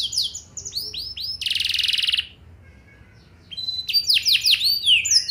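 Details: Canary lure song to make other canaries answer: curved whistled notes, a loud buzzy roll, a short quiet pause, then sharp rising and falling whistles.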